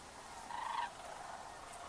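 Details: Distant sandhill cranes migrating north in March after winter, flying far overhead, give a brief rolling, rattled bugle, a throaty trill under half a second, over a soft steady background hiss.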